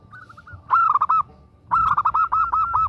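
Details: Female zebra dove calling a male: faint notes at first, then a burst of four strong cooing notes, a short gap, and a longer run of about seven evenly spaced coos.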